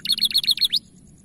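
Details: Canary training recording, a bright-coloured bird with powerful, long-lasting song: a quick burst of high chirped notes, repeated rapidly, ending in a rising upward sweep, then quiet with faint hum.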